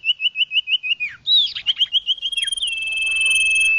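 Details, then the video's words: Common iora lure call: a rapid series of short wavering notes, a brief jumbled burst, then a long even whistle held to the end. "Suara pikat burung Sirtu/Cipoh Suara jernih mantap"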